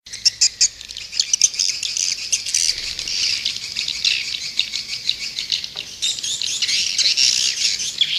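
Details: Edible-nest swiftlets in an Indonesian lure recording played outside a nest house to attract birds: dense, continuous high twittering chatter from many birds, with scattered sharp chirps and clicks throughout.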